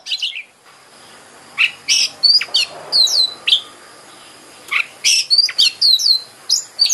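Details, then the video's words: Oriental magpie-robin (kacer) song used as a lure to excite a kacer: quick series of sharp clipped notes and short downslurred whistles, a brief pause, then another rapid run, over light background hiss. "Pancingan KACER agar GACOR dan EMOSI BUKA EKOR"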